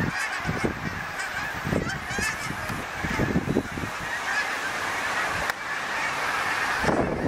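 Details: Canada geese in a big flock flying south, heard from a balcony: many overlapping nasal honks forming a steady chorus, with low thumps and rumbling noise underneath.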